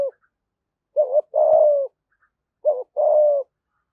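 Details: Spotted dove kept as a decoy, singing in the 'giọng thổ' style to lure wild birds. Two matching low phrases, each a quick double hoot followed by a longer steady coo, about one and a half seconds apart.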